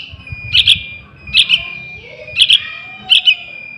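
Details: Sharp paired chirps from a young Yellow-vented Bulbul, recorded as a lure for trapping wild birds; each pair is quick and bright, with pauses near a second between them and low rumble behind.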